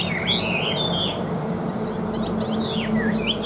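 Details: Chinese hwamei, a bird for sale praised for its even voice, sings a few rich whistled phrases, an undulating opening note and later a rising-falling slur, over a steady droning background.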